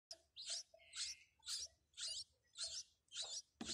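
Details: Newly hatched, hungry nestlings in a clay nest box, being fed by their mother, give harsh, hissing rasps about two each second, ending in a louder burst of scratchy calls.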